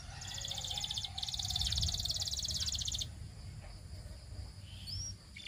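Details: Belgian canary trilling: a very rapid, buzzy high rattle for three seconds, briefly interrupted, over a noisy low rumble, followed by a single thin upslurred whistle.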